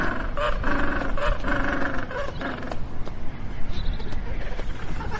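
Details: Magellanic penguin, a South American penguin of temperate waters, giving a run of harsh, braying, harmonic notes pulsed rapidly for about two and a half seconds, then trailing into scattered fainter cries over a constant low rumble of wind-like noise.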